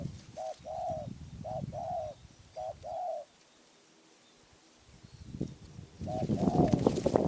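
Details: Spotted dove in Phrae, Thailand, coos three times in paired short-long phrases, then falls silent before loud rustling and handling noise takes over while a final coo phrase is partly buried.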